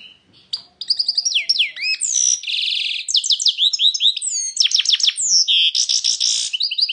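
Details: European goldfinch in full song, a continuous run of bright, tinkling twitters, fast slurred whistles and buzzy trilled phrases, delivered rapidly without pause for several seconds.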